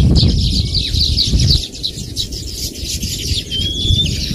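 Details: Baya weaver birds chatter in a high, busy twitter. A single clear, thin whistled note rises near the end, and low rumbling fills the background.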